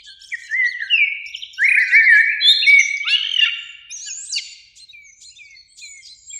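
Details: Springtime Eurasian blackbirds, two singing in a beech tree by a lake in the evening: mellow flute-like phrases rising and falling, each ending in thin high chattering twitters that fade away at the end.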